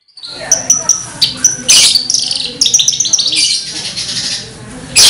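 An Australasian bush lark sings a rapid, high, scratchy run of chirps, trills and buzzy notes that tumbles on without pause; a faint room echo is heard.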